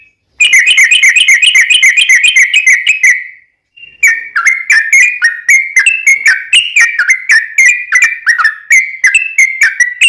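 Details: Lure recording of a yellow-vented bulbul: a three-second stuttering trill on a steady pitch, a short gap, then chattering, liquid song notes that bounce up and down in quick succession.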